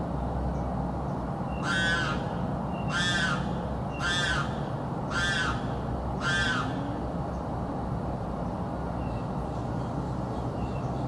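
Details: South Florida bird that keeps screaming day and night gives a run of five evenly spaced, raspy screams about one per second, then falls silent over steady hiss.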